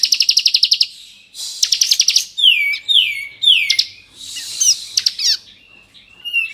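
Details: Bar-winged prinia of the Kristal type in full varied song for provoking rival prinias: an opening fast ticking trill, then three downward-swooping whistled notes, buzzy bursts and a final thin whistle.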